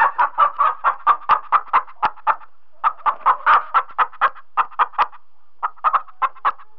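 A chicken clucks in quick, throaty bursts, roughly two a second, with two brief pauses between runs; nothing else is heard.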